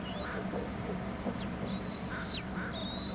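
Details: Bald eagle nestlings on Hornby Island, an adult bringing food: piercing high whistled notes held long, each ending in a sharp downward slur, with soft hoarse calls from other birds between them.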